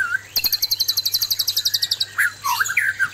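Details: White-rumped shama male confronting an aggressive female: a fast, evenly repeated string of high chattering notes for about two seconds, followed by short slurred whistles and squawky notes; faint steady hum underneath.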